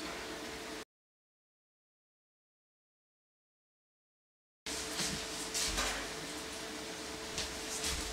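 Indoor room noise with a steady hum and a few clattering knocks like a sliding door, broken by a stretch of silence.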